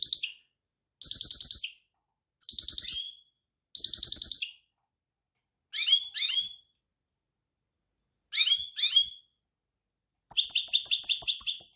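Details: European goldfinch singing a series of short high twittering bursts separated by pauses of about a second, ending in a sustained fast tinkling trill.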